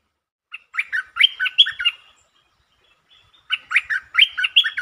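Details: Recorded 13 February 2023 for luring, a streak-eared bulbul sings one of several song types, long and doubled: a bubbling chattery phrase of rapid chirps, a pause of over a second, then another similar phrase.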